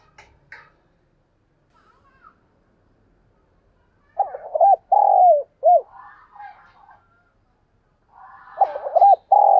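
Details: Decoy spotted dove cooing at first light, with a recording meant for training caged birds to call. A phrase of deep, rounded coos with a drawn-out middle note is followed later by another short coo burst. Faint scattered background noises are audible.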